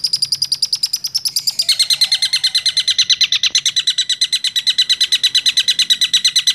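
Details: Long-tailed shrike, six months old, rolling at speed: a continuous, very regular high-pitched trill that drops slightly in pitch partway through and keeps a steady pulse throughout.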